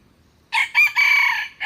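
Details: Red junglefowl crow: two short harsh notes, then a long rasping note tapering off, with the start of a final note at the end.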